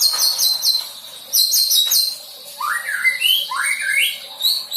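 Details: Young white-rumped shama practising filler song material. Quick high chirps come in two runs, then a series of rising, slurred whistles climbs in steps.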